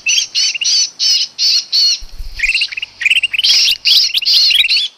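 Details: Trapping lure call of a sooty-headed bulbul. Rasping notes come in evenly spaced bursts, then break into quicker, jerkier chatter. A short low rumble is heard midway.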